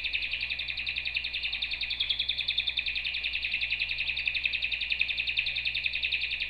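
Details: Canary singing one long, even, rapid trill throughout, a steady buzzy roll of closely spaced notes with little change in pitch, set against a faint low background hum.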